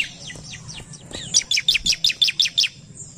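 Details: Bar-winged prinia, agitated and answering a lure recording, gives a fast series of about eight loud, sharp chirping notes, roughly three per second, after softer descending calls.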